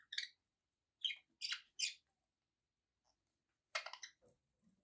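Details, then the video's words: Several pet budgies chirp in bright, scratchy bursts: single notes, then a quick pair, a pause, and a denser rasping cluster near the end. A faint soft click follows. "relaxing budgie sounds for your birds"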